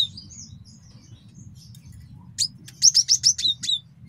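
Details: Faint, soft high notes come from a male cinereous tit, used as a master song for training and trapping, followed by a short series of about six crisp, evenly spaced descending chips.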